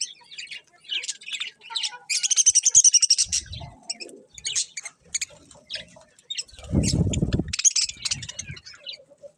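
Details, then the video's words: Colourful budgies chirping in fast repeated bursts of high scratchy notes, some trilled runs, with low thuddy rustling in between. "Cute Colourful Budgies Chirping Sounds"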